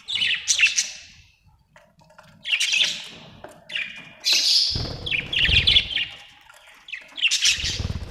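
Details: Budgerigar chirping in separate bursts of harsh, buzzy chirps and chatter, each burst lasting about a second, with soft rustling between them.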